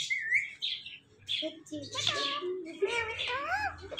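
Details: Talking parrot at home: a squeaky whistle opens, then hoarse chatter and wavy, voice-like harmonic phrases that rise and fall, with a low hum behind.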